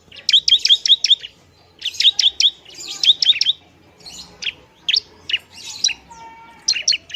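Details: Bar-winged prinia singing loudly to provoke rival prinias: fast rattling series of high chirped notes in repeated bursts, then looser scattered chirps and a faint whistle.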